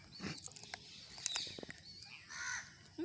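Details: A pet rose-ringed parakeet, apparently talking, gives short, scratchy, speech-like squawks and a bright rising-falling note, broken up in uneven bursts against faint outdoor background noise.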